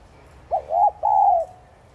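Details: A single spotted dove 'thúc gù' phrase, used to incite other doves to coo. Two short hollow rising notes lead into one long, smooth, gently descending coo against a quiet background.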